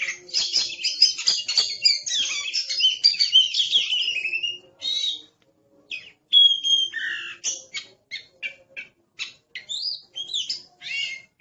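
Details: Oriental magpie-robin in aggressive mood opening with a dense rush of harsh, scratchy chatter for several seconds, then pausing before scattered sharp whistles and clipped chirps.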